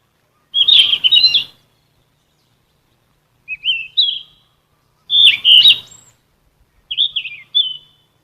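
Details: Yellow-rumped flycatcher song for captive songbird vocal training: four bursts of high, thin, twisting whistles, alternating fuller and shorter phrases, spaced one to two seconds apart in otherwise silent surroundings.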